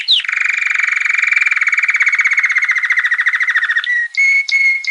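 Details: Canary song: a brief high slurred note opens a long, fast, rattling trill held at one pitch. It ends in a few clear, separate whistled notes with short pauses between them.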